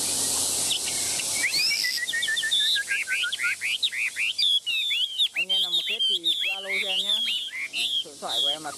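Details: Tame Chinese hwamei singing while held in the hand and shaken, a rich, rapid stream of clear whistled notes, slurred glides and quick trills that grows louder and denser after the opening seconds, with background noise at the start.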